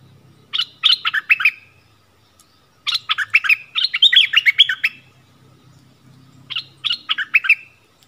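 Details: Yellow-vented bulbul song used as a lure for wild birds, dated 20 March 2021: three separate bursts of gurgling, rapidly warbled notes, the middle burst the longest, over a faint low hum.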